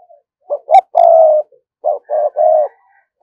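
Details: Spotted dove kept as a decoy cooing to draw in wild doves. Two quick low notes lead into a long, even coo. After a short gap comes a second phrase of short notes and a sustained coo, with faint higher chirps.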